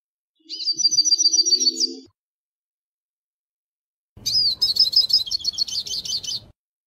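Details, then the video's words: Hooded siskin song: two bursts of rapid, high, trilled twittering, the first about one and a half seconds long with a faint lower hum beneath, then a pause and a second, buzzier run of quick repeated notes lasting two seconds. "canto pinta silva cabeça preta"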